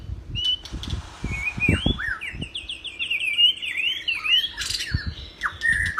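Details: White-rumped shama in full song for training other birds: a rapid series of repeated ringing whistled notes, swooping down and up, ending in sharp high notes, over scattered low knocks.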